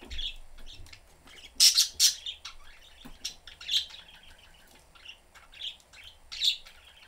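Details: Three caged pet budgerigars, a blue father, mother and smaller young bird, chirping while playing with the cage door open: scattered high twittering chirps and a few louder, harsh squawking bursts.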